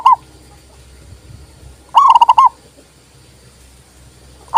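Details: Zebra dove, a local bird, singing to stir reluctant doves into calling: one full phrase of quick, rolling coo notes with clipped fragments at the start and end, and quiet background hum between.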